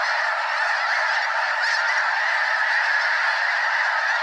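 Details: Over 200 snow geese fly around above Limestone Bay in Wheeler National Wildlife Refuge, North Alabama, before landing in a long floating line; a thick wall of overlapping honks sustained throughout.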